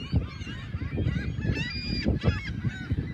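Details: Seagulls on the morning of Sunday, March 21, 2021, at South Beach in South Haven, facing the lighthouse and pier; several short arching, harmonic cries over a steady low rumbling background.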